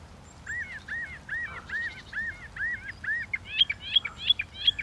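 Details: Northern mockingbird repeating a slurred, arching whistle about eight times in steady succession, then switching to a sharper, higher chirping phrase.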